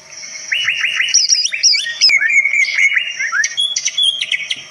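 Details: Varied song of a greater green leafbird, said to draw other birds into responding: quick repeated rising chirps, then longer clear whistles and sharp high notes, with a low constant hum underneath.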